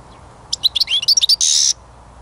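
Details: European goldfinch song recorded during songbird trapping: a rapid run of bright, tinkling twittered notes, varied in pitch, ending in a harsh buzzy rasp, over faint background hiss.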